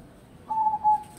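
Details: Zebra dove giving a brief pair of clear, level whistled coo notes, the second slightly longer, against faint background hiss.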